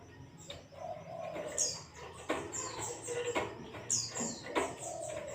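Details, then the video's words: A white-eye (Zosterops) gives very high, thin, down-slurred twittering notes in short bursts every second or two, over low murmuring tones and occasional sharp knocks; the clip is used as a lure to get pet white-eyes singing. "zosterops bird sound"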